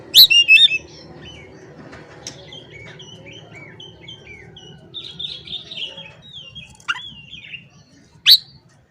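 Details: Oriental magpie-robin in morning song aimed at rivals. A few loud, sharp chirps open, then soft whistled phrases and wavering notes, with one loud squeaky note near the end over a faint low hum.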